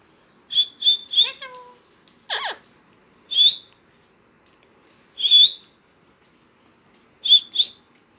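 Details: Talking parrot alternating quick high-pitched whistles, in twos and threes, with a rising whiny call and a harsh falling squawk, amid quiet surroundings.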